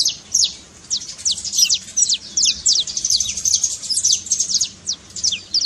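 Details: Saffron finch trill used to stir a quiet canary into singing: rapid bursts of high, thin downward-sweeping notes, densely packed and repeated in rolling phrases with brief gaps.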